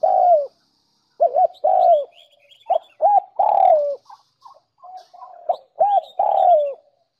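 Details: Spotted dove lure-call recording, used to provoke other doves into cooing, with low, throaty coos in short bursts of two or three notes and faint thin chirps from small birds behind.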